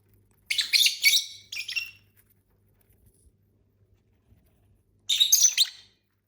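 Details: Captive pet lovebirds, six in the family, chirping while eating and singing: two rapid bursts of shrill, scratchy twittering close together, a pause, then a third bright chattering burst, over a faint low room hum.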